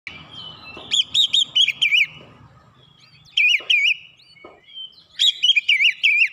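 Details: Oriental magpie-robin (kacer) singing in the dense 'nembak rapat' style, used as a training master. Three bursts of quick, wavering whistled notes with short pauses between them, over a faint low rumble.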